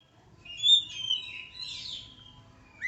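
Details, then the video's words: Tame oriental magpie-robin giving a short, quiet run of high whistled notes, with a sweet drawn-out whistle and a few slurred phrases, followed by a brief rising note at the end. "burung Kacer jinak"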